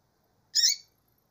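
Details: Female double-collared seedeater calling: a single short, harsh, buzzy chirp of about a third of a second, sitting high in pitch with layered overtones, and silence around it.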